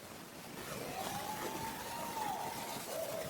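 A Barred Owl gives a long, thin scream that rises, holds, then sags, with a brief tail note after, over steady hissing background noise.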